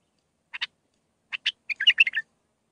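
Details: Bulbul singing a Mandalawi-style training song for young birds: paired short clipped notes twice, then a fast, liquid warbled phrase of mixed whistles and chirps.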